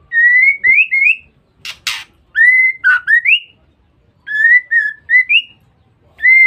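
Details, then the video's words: A female white-rumped shama repeats short bursts of clear whistled notes, each burst a few rising and falling slurs, separated by pauses. A harsh noisy burst interrupts once. This ngeriwik call is used to lure males. "Pancingan Suara Murai Batu Betina"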